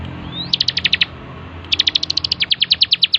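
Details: Energetic bar-winged prinia song for bird training: a faint upslurred whistle leads into a burst of sharp high notes, then a long, even sequence of repeated chips lasting well over a second.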